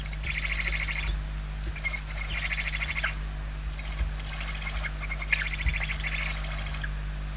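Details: Several hungry barn owl chicks in a nest in Spain, 28 November 2023, keep up rasping, pulsing hisses in uneven bursts of about one second, one following another with little rest, over a faint hum.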